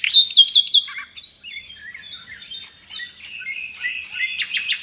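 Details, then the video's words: Nightingale, a bird used by Indonesian songbird fans to train other birds, opening with a loud rapid triplet of high notes, then a string of varied soft whistles and chirps, ending in another quick repeated burst. "Nightingale song FULL gacor"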